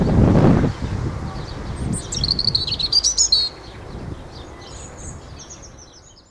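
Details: Single high, fast robin phrase of rapid trilled and twittering notes lasting about a second and a half, followed by a faint distant phrase, after a loud low thump of wind or handling noise.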